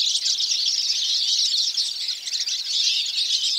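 Hooded siskin song, a rapid, unbroken high twittering of buzzy trills and chirps that runs on without pause.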